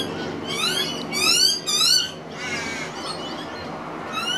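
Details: A juvenile pied butcherbird, one of two, is fed minced beef by an adult on a veranda on 25 December 2015, giving harsh, raspy, rising buzzy begging squeals about twice a second over faint hum.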